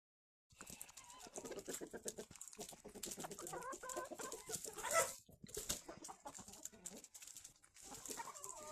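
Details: Chickens eating in the morning: a flock gives soft, repeated clucks and short harmonic calls over constant sharp pecking clicks and scratching. The calls rise and fall and overlap throughout, with a louder burst near the middle.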